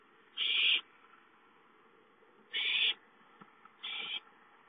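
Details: Owlets begging for food at home on 5-9-13 give three noisy, breathy screeches at uneven gaps, the last one softer, against a low background hiss.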